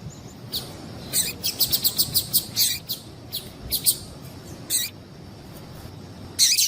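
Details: A female double-collared seedeater gives rapid bursts of thin, high chirps, around a dozen close together, then scattered single notes and a final loud chirp. Offered as a sound to stimulate a kept male to sing. Soft background hiss.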